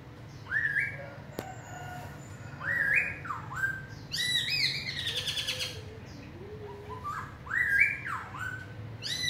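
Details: Large-bodied black-throated laughingthrush giving forest-voice song: separated loud whistled phrases, each rising then falling sharply, with a burst of harsh harmonic notes and some low soft whistles between.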